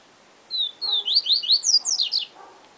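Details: Yellow-bellied seedeater performing its 'Siu Siu Professor' song, a complete phrase of two slurred whistles then about eight rapid rising and falling notes, faint low sounds in the background.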